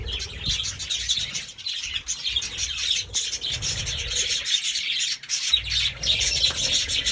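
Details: Budgie producing continuous squeaky twittering and chirps, with a short lull near the middle before the chatter picks up again.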